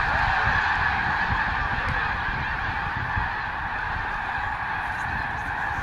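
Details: A great flock of sandhill cranes at Bosque del Apache refuge in November, during a spontaneous mass flyoff: softer, steady chorus of many overlapping rolling calls with a low rumbling background.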